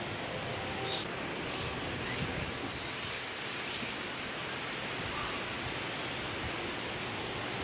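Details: Steady broadband rushing noise, like wind or surf, fills the whole recording with no clear animal calls.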